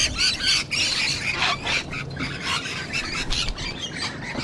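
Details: Sulphur-crested cockatoos with rainbow lorikeets, wild parrots filmed live in Sydney, Australia: dense harsh squawks and screechy chatter in rapid overlapping bursts, about four per second, from a mixed flock.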